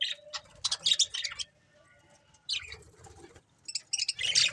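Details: Breeding pair of budgerigars chattering in bursts of buzzy, scratchy high chirps, with a quiet gap of about a second before the lively warbling resumes.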